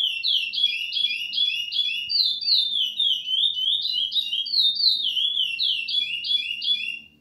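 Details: Chestnut-bellied seed finch (curió) in Ana Dias song style delivers a long, unbroken run of clear, fluty whistled notes, about three per second, rising and falling in pitch, with no other sounds.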